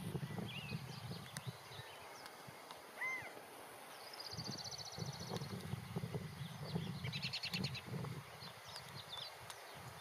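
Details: California quail, a male perched on a fence, calling to others in his group: one loud arched, slurred note near the middle, over steady low rumble, with other birds' trills and chirps around it.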